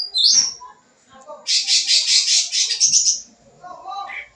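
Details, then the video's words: Sooty-headed bulbul giving full-isian song as a lure for young birds: a whistled slur, a pause, then a long rapid buzzy rattle ending in a high whistle, followed by soft chatter. "Suara Cucak Ranting Gacor Full Isian, Cocok Buat Pancingan Burung Bahan"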